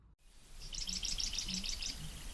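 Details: A Marsh Wren in cattail and reed marsh in Maritime Canada, during the breeding season, sings a fast, high, gurgling run of about eight buzzy, rattling notes lasting just over a second, over a faint low rumble.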